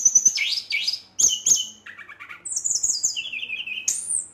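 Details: Brown-chested jungle flycatcher in aggressive night song aimed at rival birds: piercing downslurred whistles, then a low rattling phrase and a series of high, wavering warbles.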